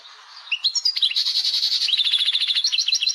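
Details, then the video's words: Algerian caged European goldfinch, tebnija song with laglag: after a soft start, scattered twitters lead into a dense, fast, buzzy trill of repeated high notes, then quick chattering figures and a final rapid run. "تبنيجة مقنين...باللاڨلاڨ لبنين"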